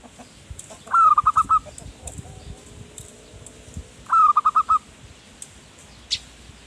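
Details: Zebra dove singing to attract wild birds: two phrases about three seconds apart, each a slurred opening note then four or five quick coos, over quiet background hiss.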